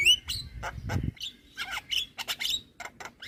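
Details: Javan myna in full song, played to lure moulting mynas and as therapy: an opening clear rising whistle, then choppy chatter, raspy notes and repeated short clicks in quick succession.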